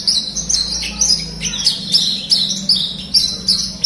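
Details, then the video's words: Horsfield's bush lark song used as therapy for a lark that won't sing: rapid high chirps and short slurs in quick succession, bright and continuous, faint hum beneath. "masteran audio terapi branjangan gacor,pancingan untuk branjangan macet bunyi"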